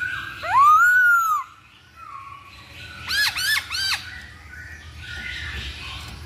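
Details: Masked laughingthrush song used as a lure to provoke another bird to sing: a loud arched whistle, then three sharp, ringing hooked notes in quick succession, with a softer background warble.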